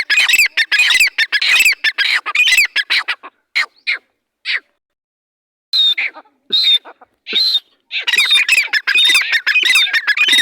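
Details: Dhakani teetar, a partridge, calling in loud harsh rattling squawks. The calls break off into sparse notes, then resume with thin whistles and a dense chatter.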